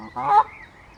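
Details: Canada goose in a territorial dispute in a forest; a single loud, harsh, nasal honk lasting a quarter second, rising then falling, with faint quieter calls afterward.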